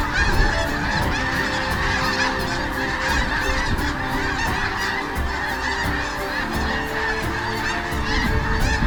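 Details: Thousands of migrating sandhill cranes calling at sunset as they fly in to roost on the Platte River at Kearney, Nebraska; a dense, continuous chorus of rolling, rattling bugles from many birds overlapping without pause.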